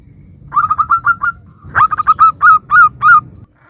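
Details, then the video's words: Zebra dove, local bird, singing to draw answers from other doves: a fast stammering run of soft coos, a brief gap, then louder, more spaced rolling notes with a sharp upward flick. "Perkutut lokal gacor suara bermacam - macam Nutut kompilasi ini ampuh untuk Pancingan Cepat NYAUT"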